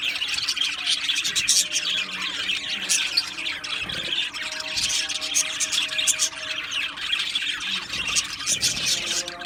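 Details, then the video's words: Australian budgerigar colony in an aviary producing constant dense chatter: bright chirps, trills and squeaky warbles layered from numerous birds, with a low steady hum. "Beautiful Australian Budgie birds Chirping Sounds"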